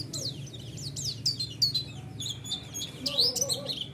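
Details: White-eye lure song to provoke a response: high, sweet slurred notes in loose sequence, a few longer rising-falling whistles, over steady low-pitched background hum.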